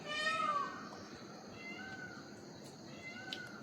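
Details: Indian peafowl at Mungerjung village in the hills of North Bengal, northeast India, in the evening with many peafowl calling all around: one loud, nasal, wailing cry that falls away, then fainter distant calls over a steady hiss.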